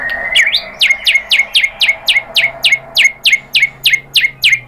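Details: White-rumped shama song used to coax other shamas into singing: an even series of sharp falling chips, about three per second, each sweeping down to a steady lower tone.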